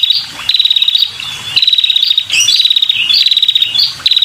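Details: Loud, close calling from a female red-headed prinia luring males: near-continuous bursts of rapid, buzzy, high-pitched pulses, broken by brief pauses and a few squeaky inflected notes.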